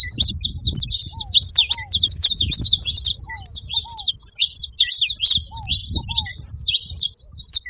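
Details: Saffron finches calling as a group: dense shrill chirping and twittering runs continuously, interrupted now and then by gentle paired low downslurred whistles.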